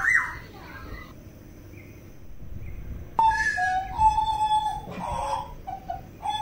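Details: Butcherbird of Papua: a quiet opening with a short high whistle, then a burst of mellow flute-like notes at a lower, steady pitch, repeated in quick succession.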